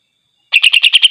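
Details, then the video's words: Greater green leafbird in full song aimed at angering other leafbirds: a quick string of about six harsh, bright chattering notes, evenly repeated in well under a second, after a short silence. "cucak ijo GACOR DIJAMIN bikin NGAMUK cucak ijo lain"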